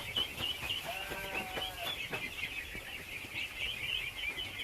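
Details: Thousands of ducklings at feeding, a bright, continuous high peeping chorus, with a deeper harmonic voice sounding briefly early on and scattered clicks.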